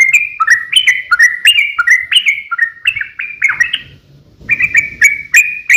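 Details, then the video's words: Long rapid fighting song of a sooty-headed bulbul, meant to spur other bulbuls to sing: series of bright, downward-sliding whistled notes in quick succession, a short break with rustling, then more clipped notes. "KICAU SUARA trucukan gacor ROPEL panjang pancingan trucukan agar bunyi"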